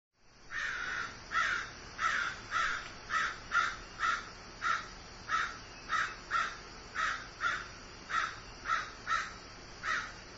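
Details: A grieving crow gives a long series of about sixteen harsh, hoarse caws, evenly spaced roughly every half second, against a low steady background hiss.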